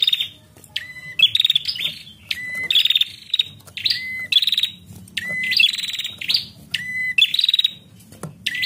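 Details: Calling female bar-winged prinia, used to provoke singing in males: repeated phrases of a level piping note dropping into fast, rattling buzzy bursts, about six phrases in under nine seconds, quiet background.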